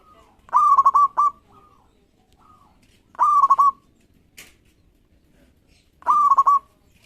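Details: Local zebra dove singing constantly, a call meant to provoke rivals into answering quickly. Three loud stuttering cooed phrases, each about half a second of rapid broken notes, come roughly every three seconds, with softer short coos between.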